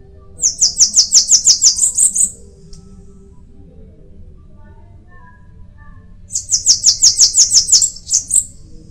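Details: Two bouts of bananaquit song separated by a few seconds of quiet, each a rapid string of about ten shrill, buzzy notes finishing with a brief thin flourish.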